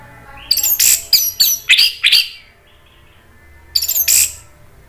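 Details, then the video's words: Orange-headed thrush lure song to draw answers from other thrushes: a fast run of six loud, harsh, scratchy notes, a short quiet warble, then a final rasping double burst. "ANIS MERAH GACOR MATERI PEDES bikin NYAUT NGEPLONG ¦ PANCINGAN AM"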